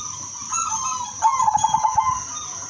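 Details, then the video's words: Zebra dove of the Udanmas Silver variety singing to attract other zebra doves: a soft introductory coo followed by a fast, evenly pulsed trill of around eight notes, over a constant high hiss. "perkutut udanmas silver gacor irama merdu jadi pancingan semua perkutut"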